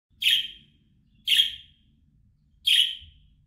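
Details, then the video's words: Budgerigar calling: three short, sharp, high chirps spaced about one to one and a half seconds apart, in otherwise quiet surroundings. "MUHABBET KUŞU SESİ"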